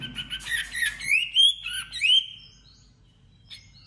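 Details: White-rumped shama in competitive song, giving a burst of sweet rising whistles and warbles over about two seconds, then near silence with one faint note.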